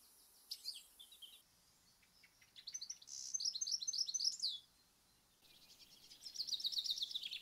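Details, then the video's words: European goldfinch, a UK garden bird, giving bright, high, tinkling twitters in quick liquid bursts, mixed with buzzy trills, in three separate phrases. "Goldfinch (European Goldfinch)"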